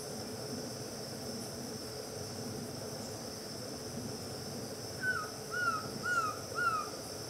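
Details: Green-backed trogon recorded at Itapiranga: after five seconds of quiet background hiss, four short, slightly falling whistled notes come about half a second apart. A steady high insect drone runs throughout.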